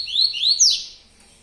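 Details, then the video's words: A yellow-bellied seedeater gives three quick, bright, rising whistled notes, the last one sharper and falling away, in a brief fragment with nothing else heard. "Baiano TUI TUÍ ZERO ZERO"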